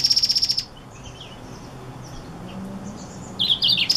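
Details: Black-throated x Reichenow's seedeater hybrid singing: a rapid high buzzy trill of about ten evenly pulsed notes, a pause with faint soft chips, then a closing burst of sharp high twittering notes.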